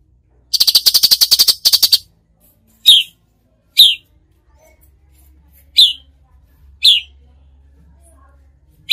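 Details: Cucak cungkok with the fast, rattling tembakan song: a burst of rapid buzzy notes lasting about a second and a half, followed by four separate sharp, falling whistled notes about a second apart.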